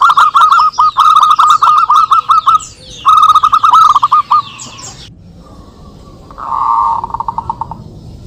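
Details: Zebra doves of a local strain calling back and forth as lure audio: two fast runs of clipped, bubbling coos, then a quieter, more distant rapid series from a second bird after a short pause.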